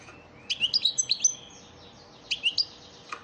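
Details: European goldfinch of the elmacık type singing a lesson song used to train caged birds: a quick run of bright, high twittering notes, a pause, then a shorter burst of sharp chirps.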